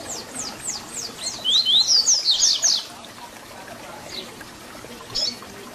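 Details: Double-collared seedeater singing the "Tui Tui Zel Zel" style meant for tutoring young birds: a quick series of descending high whistled notes building into loud sharp slurs, then a couple of isolated faint notes over background hiss.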